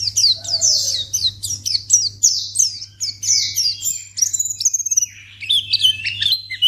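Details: Lure sound of a white-eye (pleci) for drawing out other birds. Steady runs of fast high chirps change after four seconds into thinner whistles and varied twitters, over a faint low hum.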